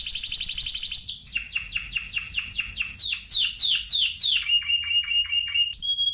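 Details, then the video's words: A Spanish timbrado canary in song: a quick trill, then a run of about a dozen descending swept notes, followed by short repeated chips and a final whistled note. "Timbrado تغريد جميل الكناري تيمرادو الإسباني"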